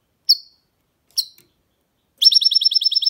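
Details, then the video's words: Goldfinch mule (hybrid) giving two short bright high call notes, then launching into a fast, evenly pulsed trill of high repeated notes. "Goldfinch mule’s (hybrid) singing"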